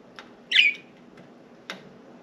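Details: Budgerigars out of the cage indoors, perching on window blinds among four pet birds; one short scratchy chirp between soft clicks and taps.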